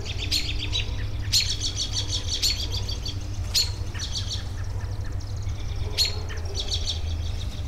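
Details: Busy outdoor bird chatter: crisp high notes and quick trilled chirp series return every second or two, with a few louder sharp accents, over a continuous low hum.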